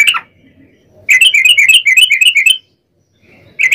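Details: Yellow-vented bulbul giving a long rapid 'ropel' song, used as a lure to make other bulbuls sing: a brief bubbly note, a pause, then a fast chattering run of warbled notes lasting about one and a half seconds.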